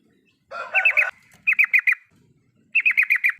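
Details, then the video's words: Yellow-vented bulbul in full riwikan chatter, a lure to make a silent bulbul sing: a rough, buzzy opening burst with quick notes, then two crisp runs of four to six downslurred chips. "pancingan untuk burung trucukan yang tidak mau bunyi..full riwikan"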